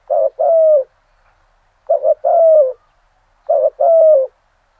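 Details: Spotted dove decoy bird singing the full 'giọng thổ' style cooing at first light to provoke rivals: three low hooting phrases, each a short coo then a longer falling one, spaced about 1.7 seconds apart, otherwise quiet.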